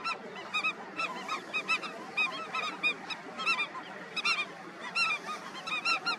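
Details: Indian skimmers at their breeding colony call constantly: clipped, nasal, strongly harmonic yelps in quick clusters from several birds, with a steady colony murmur behind.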